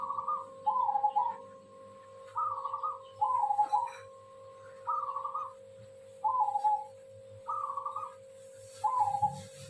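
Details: Zebra dove singing actively: soft cooing phrases repeated roughly every one to two seconds, each a short burst followed by a lower trilled coo, over a steady background hum.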